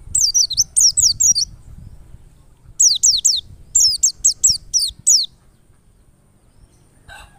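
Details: Wild white-eye, played as a lure for other white-eyes to open up and sing, delivers three bursts of quick, very high descending notes, then goes quiet apart from a faint low rumble and a brief click at the end.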